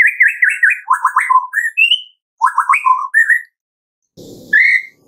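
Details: Captive White-rumped shama of the Medan type in full varied song, used as a training call: rapid rising and falling whistled phrases around mid pitch, repeated in bursts, with a short rough noisy burst near the end.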